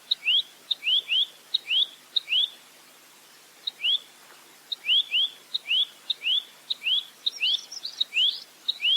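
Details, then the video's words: Velvet-fronted nuthatch (rambatan mandarin) song made of bright upslurred whistles repeated about 100 times a minute, often doubled, with one longer pause midway. Faint high chips sound near the end. "Masteran Burung Rambatan Mandarin Jernih Full Roll Tembak"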